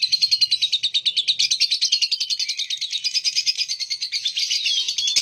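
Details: Rapid, buzzy trilling from a lovebird, a dense stream of shrill pulsed notes that flows on with hardly a break.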